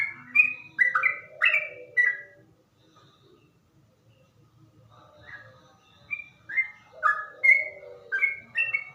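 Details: Yellow-vented Bulbul giving a slow, deep-toned ropel song: a cluster of bubbly whistled notes, a two-second lull with faint low rumble, then another run of warbling, slurred whistles repeated quickly to the end.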